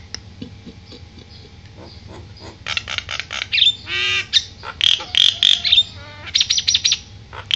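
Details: Caged Javan myna, fussy because it has not been bathed yet, giving a harsh varied song: scattered clicks, then loud buzzy squawks, rasping bursts and repeated whistled notes, over a low steady background hum.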